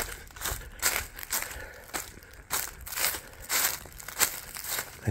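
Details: Broadband crinkling and crackling handling noise in bursts, with no animal sound heard.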